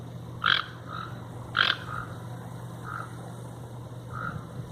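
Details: Toucans in nature; two loud, harsh croaks near the start, then softer single croaks spaced about a second apart over a constant low hum.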